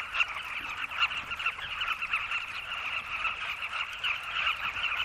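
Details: A dense, unbroken chorus of hundreds of nesting Carmine bee-eaters (Merops nubicoides) at a red sandy riverside cliff full of burrows, giving throaty, rolling mid-pitched calls that overlap into a steady chattering din toward sunset.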